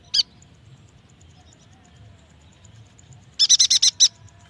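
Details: Yuhina song played as a lure for young or quiet birds: one sharp high chip, a long pause, then a fast burst of about six bright chattering notes near the end.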